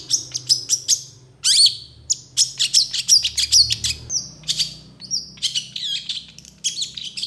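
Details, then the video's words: Agitated long-tailed shrike singing steadily, responding to rival shrikes with mimic-filled song: rapid sharp ticks, thin whistled notes and descending squeals strung into a fast, uneven chatter over seven seconds. "PENTET GACOR EMOSI CEPAT DI RESPON CENDET LAIN, MASTERAN CENDET FULL ISIAN"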